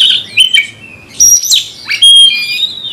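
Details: Angry magpie-robin answering a provoking rival: a short run of high whistles, a sharp upward sweep, then a long, steady piercing whistled note blending into scratchy chatter.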